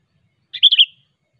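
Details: Sooty-headed bulbul, known locally as kutilang, singing sharply to call rivals: one short liquid phrase of three quick warbled notes, clear and bright, ending in a brief trailing whistle, nothing else heard.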